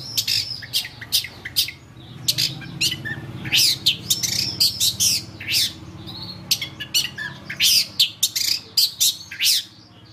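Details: Harsh, rasping chatter of a long-tailed shrike, known locally as pentet cendet, taken from a training recording for songbirds; dense scratchy bursts come in irregular rapid series, with short pauses between groups.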